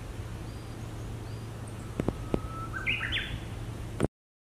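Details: Japanese bush warbler in spring song, recorded in April 2019 around a college in Maizuru, Japan, where it is still polishing its song. A thin, held whistle gives way to a short, bright, warbled ending, interrupted by sharp clicks and a low hum.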